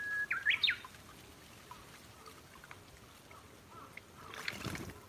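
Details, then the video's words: Brown-eared bulbul visiting a yard feeder: a brief, loud, squealing call of three quick upslurred notes at the start, followed by a quiet stretch with trickling background noise and a soft rustle near the end. "ヒヨドリの一日！ 鳴き声"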